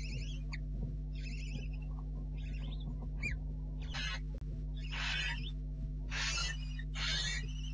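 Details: Barn owl owlets in a nest at night in early July, apparently two chicks left: wavering squeaky calls giving way to loud harsh hissing shrieks repeated about once a second, over a constant low electrical hum.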